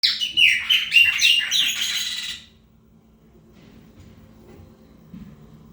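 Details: Chopi blackbird, known in Brazil as preta fumaça, singing to mark its territory: a rapid tumbling run of bright whistled and chattering notes for about two and a half seconds, then near silence with a faint steady hum.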